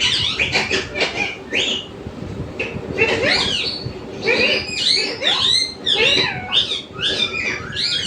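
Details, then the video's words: A pet parrot indoors giving a busy run of harsh, squawky, bending notes, many rising then falling, in quick bursts with short gaps, some sounding almost speech-like, against faint room noise. "मिट्ठू की आवाज"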